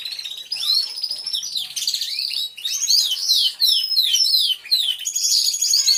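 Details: Loud chorus of canaries singing in an aviary, captured by a hidden camera: sweeping downward whistles repeated in quick series, mixed with buzzy trills and high sustained notes from many birds.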